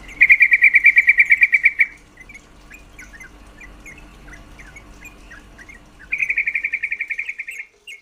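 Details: Female yellow-vented bulbul giving a call meant to stir males' mating drive: two loud bursts of rapid, evenly spaced chattering notes, each under two seconds, separated by scattered soft chips.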